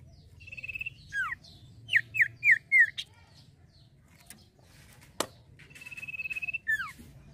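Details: Male common iora in song: a sustained trilled whistle, then a fast series of downward-swooping whistled notes, another long even trill and a final falling slur; faint hum and a sharp click.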